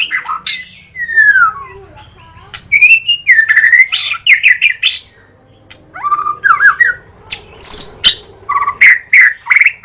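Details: Loud White-rumped shama song intended to make other shamas answer at once: long descending whistles and rich varied phrases, a short pause, then bright repeated whistled notes in quick bursts.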